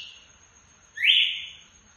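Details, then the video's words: Captive red-cowled cardinal singing açoite-style: the tail of one note, then a single loud whistle that rises quickly, levels off and fades, above a constant faint high hiss. "galo de campina gritando"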